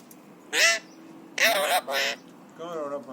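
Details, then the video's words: Three-year-old pet Alexandrine parakeet, happy and excited, imitating coughs, whistles and screams: harsh, raspy screeches in two bursts, then a softer, wavering nasal call at the end. "Alexandrine Parrot Talking | Happy/Excited Parrot | Parrot imitates Cough & Whistles & Screams"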